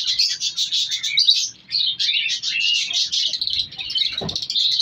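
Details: Many caged color lovebirds chirp in rapid, pulsing bursts of high squeaky notes, a brief pause after the first seconds, and a knock near the end.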